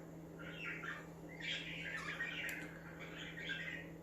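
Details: Budgerigars chirping so other budgies become active, rolling chattery warbles and squeaky notes running almost without pause, accompanied by a constant low hum.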